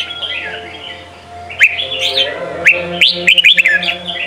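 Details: Sông Kon style song of a red-whiskered bulbul, used for training young birds. It opens with a soft, quiet warble, then brisk, clearer whistled notes and quick upswept chirps. Crisp clicks and a faint low hum run through it.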